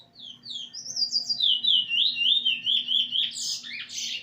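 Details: Young Eurasian bullfinch learning its song by singing together with a tutor bird, recorded 13 August 2020; high whistled notes run into a continuous wavering warble, ending in harsher rising chirps.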